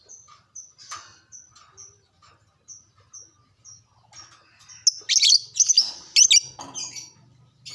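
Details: Lovebird chatter used to trigger arousal so caged lovebirds sing readily: a run of thin high ticking notes, about two per second, builds into a dense burst of harsh, screechy chirps, over a faint low hum.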